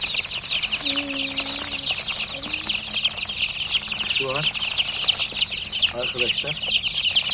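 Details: Chorus of newly hatched chicks: high, quick, downward-swept peeps overlapping nonstop, with brief human speech and a low tone in the background.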